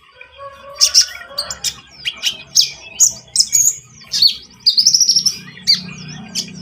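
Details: Javan munia singing vigorously, recorded for use as a lure in bird trapping: rapid high, thin chirps and squeaky twittering notes in irregular bursts, with a faint low murmur underneath.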